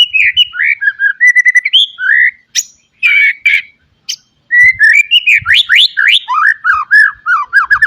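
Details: Song of a caged white-rumped shama full of mimicked phrases, used as a training recording to get young birds singing quickly: rich, varied whistled phrases, slurred notes and rapid rising sweeps, with brief pauses between bursts.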